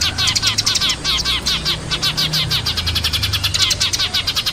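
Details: Eurasian tree sparrow calls as quick, slightly downslurred chirps in rapid series, layered into a lively chatter, with a low droning hum in the background.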